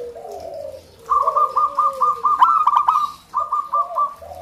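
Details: Local zebra dove: low soft coos, then a long, quick string of rolling arched notes, a brief pause, and another shorter run.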